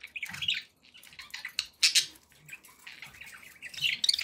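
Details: Pet budgerigars murmur and chirp softly, with a few sharper squeaky notes and scratchy bursts separated by quiet gaps.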